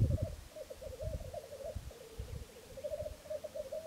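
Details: Three black grouse males performing their lek display at Filsartrusket, Florarna, early morning, 17 April 2013: close, rich bubbling coos running in rapid rolling phrases with brief pauses, over soft low thumps and rustling.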